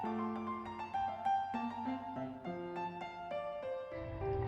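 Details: Piano music plays throughout, with sustained chords and a steady melody and no animal calls.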